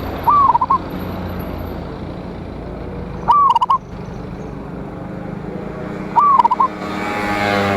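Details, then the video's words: Lure recording of a local zebra dove singing loudly to provoke rival birds, from 26 January 2025. Three phrases come roughly three seconds apart, each a quick upward slide and then a bubbling, broken string of coos, with steady background hum. "Perkutut Lokal GACOR suara Besar Ampuh memanggil Lawan EMOSI MANGGUNG PANCINGAN PERKUTUT"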